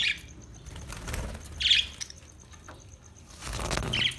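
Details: Australian budgie giving three short, bright chirps about two seconds apart, with rustling and fluttering noise between them.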